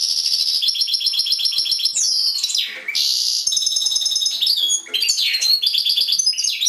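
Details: Caged European goldfinch in full song, rapid repeated tinkling notes broken by downward swoops and buzzy slurs, lively and continuous.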